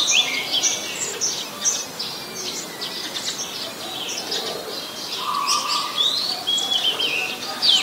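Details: Oriental magpie-robin, a very common resident, recorded on a Nikon P1000 in Ubon Ratchathani, Thailand, on 21 January 2021: a run of high, thin whistled notes and slurred phrases over a steady hiss of background noise.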